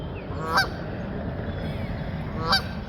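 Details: Two honks from flying geese, about two seconds apart, heard over a noisy, low rumbling background.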